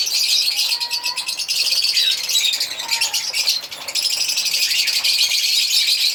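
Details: Several African lovebirds chirp and sing together in a continuous, buzzy, high-pitched chatter, with a few faint lower whistled notes running underneath.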